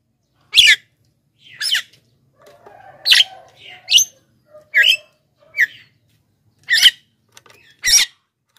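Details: Javan myna used to lure wild birds and train reluctant singers: a run of harsh, scratchy notes of varied strength, some short and clipped, over faint low tonal hums.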